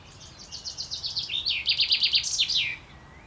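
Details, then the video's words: A male Fringilla coelebs in courtship song, 28.05.2024: a run of quick repeated notes speeding into a loud, pulsing trill, closed by a descending twirl, with light outdoor hiss behind. "Buchfink Gesang singt zwitschert"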